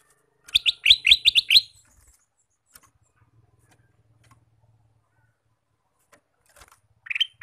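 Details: Singing male ruby-throated bulbul, heard all day: a rapid string of about six sharp, bright notes, then quiet with faint low hum, and a final single note at the end.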